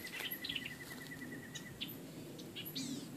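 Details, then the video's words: Several birds call together by the South Fork Guadalupe River, Texas, heard while fishing and unidentified: a steady insect-like trill, short high chips and a few scratchy notes, over a soft hiss of running water. "Bird Calls"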